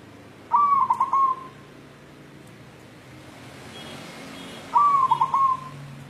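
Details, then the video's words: A white local zebra dove, restless in search of a mate, utters two short, vibrating cooing phrases about four seconds apart, each made of quick stuttered beats, over a steady low background hiss. "Perkutut putih galau mencari jodoh"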